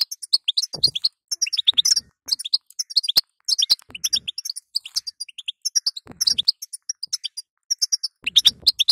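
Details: Female European goldfinch calls, played to stimulate a weak male to sing: dense bursts of high, thin chirps and twitters, quick and uneven, broken by short pauses, with a few clicks.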